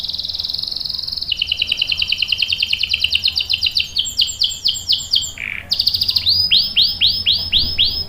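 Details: Canary song from a female calling the male while in breeding condition: steady high trill, lower rolling trill, swooping notes, a short buzzy phrase, then repeated arching whistles.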